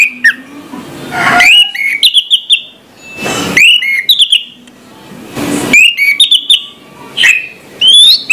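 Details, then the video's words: Morning song of an orange-headed thrush: short bursts of bright rising and falling whistles separated by loud rushing noise bursts and pauses, phrases coming about every two seconds. "suara anis merah plong pagi hari"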